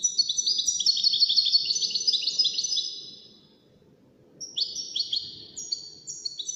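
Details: Wild-caught European goldfinch, one of five entered in a song competition, gives fast bright twittering phrases of high, tinkling notes with buzzy trills, pauses for about a second, then resumes a shorter twittering burst; faint low murmur underneath.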